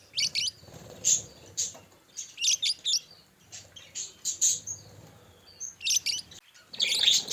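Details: Pet budgerigars in a group, heard as scattered bursts of bright, high chirps and short warbles separated by quieter gaps, over a low background hum.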